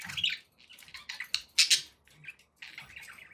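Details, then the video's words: Happy budgies kept as pets, scratchy chirps and harsher squawk-like bursts in quick succession, with a soft low hum underneath. "happy budgie sounds"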